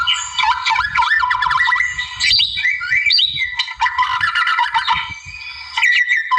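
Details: White-rumped shama, wild-type, singing to draw out a rival: fast sequences of rapidly repeated looping whistles, chattering bursts and sliding notes, continuous and loud, low thumps beneath.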